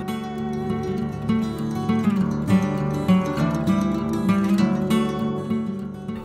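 Strummed acoustic guitar music plays throughout, with no animal sound heard.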